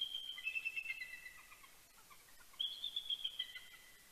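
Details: Mated pair of bald eagles at Big Bear, California, exchanging morning greetings before sunrise on 26 October 2019. High, rapid piping chortles form a chattering run of descending notes, then a pause, then a second piping burst.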